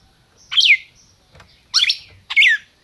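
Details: A caged red-crested cardinal in Brazil gives three loud, clear calls, each a quick bright note falling in pitch, the last two close together, with a soft faint note between them.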